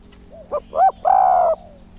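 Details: A captive Spotted Dove decoy bird whose owner finds its voice weaker and quieter than before, not singing fully, gives a soft, mellow phrase of three or four low coos building to a longer drawn-out final note over a faint hum.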